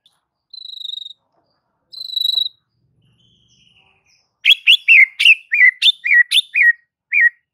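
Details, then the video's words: White-rumped shama singing to provoke other shamas into full song: two clear, high, sustained whistles, then after a pause a rapid string of sharp, downslurred, ringing notes about four per second. "Murai batu ini SONTAK bikin murai lain TETAP GACOR dan NGEPLONG hanya dengan Sekali Pancingan Saja"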